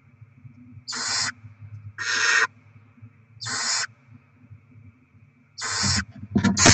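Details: Barn owls feeding their young with delivered rodents, 07/02/2024: four drawn-out hissing shrieks at about one-second gaps, then a loud burst of rustling and scuffling.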